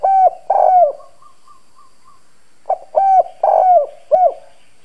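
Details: Husky-voiced decoy spotted dove calling to stir up wild doves: two coo phrases, each a quick pickup note followed by rounded mellow notes that bend downward, separated by a quiet pause with faint distant notes.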